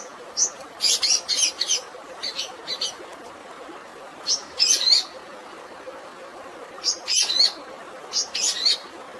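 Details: Long-tailed shrike fighting song with natural water sounds, meant for stressed birds: bursts of sharp, high chattering notes in short clusters with pauses between, over a steady hiss of running water.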